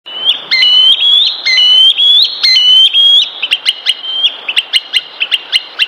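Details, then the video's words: A green sandpiper gives clear, ringing whistles that step up and down in pitch, then a quick run of short, sharp notes at about four per second. "Green Sandpiper Bird Call"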